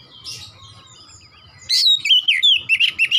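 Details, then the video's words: Oriental magpie-robin delivering a loud burst of varied whistled and slurred notes, fast and jerky, after a quieter stretch of soft distant chirps and low background hum. "KACER GACOR NEMBAK NEMBAK"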